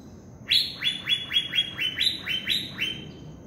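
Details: An Asian fairy-bluebird in the wild forest gives a quick series of about ten sharp, liquid, downward-sliding notes, roughly four per second, with faint background hiss.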